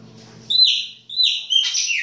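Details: Chopi blackbird singing in winter in the baianinho style: loud, clear whistled notes that slide downward, three phrases in about two seconds, the last more broken and warbled, over a faint low hum.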